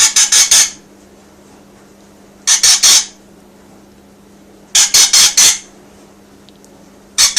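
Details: Pet rainbow lorikeet indoors, described as happy while being filmed, giving harsh, shrill screeches in tight bursts of three to four, each burst separated by about two seconds of quiet, over a low steady room hum.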